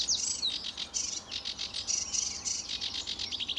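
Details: Lively sedge warbler at RSPB Fowlmere, early July morning in 2013, pours out a dense stream of harsh chirps and buzzy churring notes, with a few sharp whistled slurs near the start.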